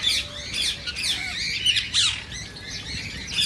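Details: Rose-ringed parakeet squawking, intended to stimulate other parakeets to sing and mate; dense, grating high screeches with a few sharper whistled squeals, steady throughout.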